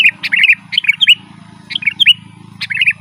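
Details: Lively sooty-headed bulbul song meant to lure wild forest birds and to prompt caged ones to answer: short gurgling phrases of bright chirped notes, several quick bursts in three seconds, with a steady low hum beneath.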